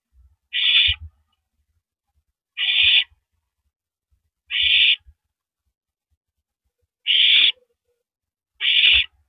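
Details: Nesting owl passing rabbit prey to its mate, April 9, 2012, 9:14 PM; five rasping, breathy screeches spaced irregularly, one to two seconds apart, with faint low knocks from the nest.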